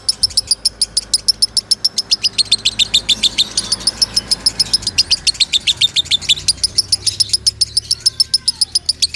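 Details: Lovebird singing loudly as a master song for other birds to learn: a long, unbroken run of fast, high, piercing ticks, about three to four per second, steady and insistent throughout.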